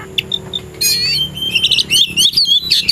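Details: An Oriental magpie-robin, a contest-ready bird, sings in the afternoon: a few soft chips, then a loud, rapid run of varied, clear whistles and fluty slurs, rising and falling.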